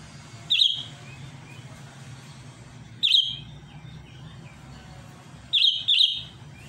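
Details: Sooty-headed bulbul challenging a rival: short, sharp high chirps burst out about every two and a half seconds, the last one doubled, over a steady low hum.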